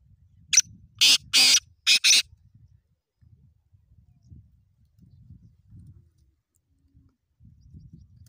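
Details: Tame black francolin kept as a pet, roaming freely around its owner without running away: a quick burst of four or five loud, harsh, rasping notes in under two seconds, followed by quiet low rumbling background noise.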